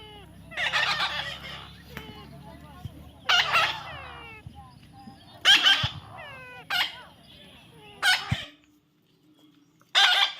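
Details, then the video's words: Baby parrot, being tamed, giving harsh, raspy, screeching calls in short bursts of about a second, six bursts spaced every one to two seconds, each with sliding downward tones; faint low hum beneath. "natural funny parrot sound"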